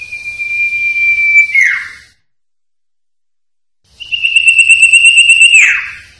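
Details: Common iora (cipoh) in the sertu song style, on a master recording: a long steady high whistle that ends by sweeping down, a pause, then a second long note, buzzy with overtones, that drops off the same way.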